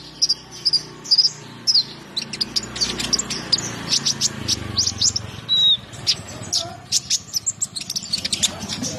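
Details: Konin (brown-throated sunbird) in full 'gacor ngobra' song, a steady stream of bright, high, clipped chirps, mostly evenly paced, with one brief level whistle, over a faint low murmur.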